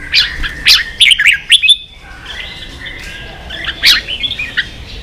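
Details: Red-whiskered bulbul provoked to a singing contest: a few loud whistled, slurred phrases early, a quieter soft warble in the middle, then more bright chirps.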